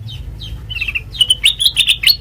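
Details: A sooty-headed bulbul, its sweet song used as a training lure: a few soft downslurred notes open, then a louder bubbly series of short chirps accelerating toward the end, over a faint low hum.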